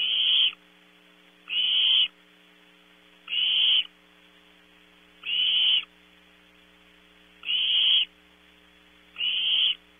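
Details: Barn owl nestlings at Audubon Starr Ranch in California, night-time at 0300 hours, competing for food. Six evenly spaced, harsh hissing screeches, one roughly every 1.8 seconds, each about half a second long, with a steady background hum.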